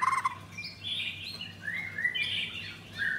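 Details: Blorok white-rumped shama, a captive bird in Kemayoran, Jakarta, singing softly: fluid sliding whistles and warbles at moderate pitch against a noisy background with a low hum.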